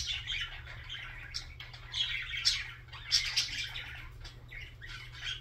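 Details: Budgerigar song as a dense, rambling warble of raspy chirps and buzzy chatter, rising in loudness near the middle, over a constant low electrical hum.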